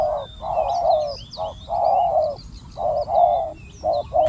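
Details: Spotted dove, a decoy bird luring an aggressive wild dove, giving loud, low, husky coos in uneven phrases of short and drawn-out notes, while other birds chirp faintly overhead.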